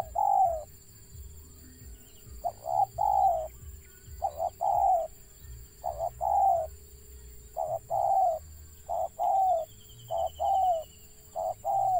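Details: Stuttering coos of a wild zebra dove, many short broken bursts of rolling, mid-pitched coos repeated throughout with brief pauses, over a constant low hum and faint high tone.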